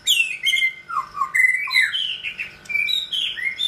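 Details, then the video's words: Male white-rumped shama kept in captivity, approaching a molt, singing a fast medley of bright slurred whistles, downward swoops and high chattering notes in quick succession. "White Rumped Shama"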